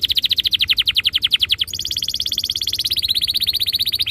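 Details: Canary rolling song used as a singing lure: an even, rapid pulsed trill that shifts midway into a higher, faster and thinner roll continuing to the end.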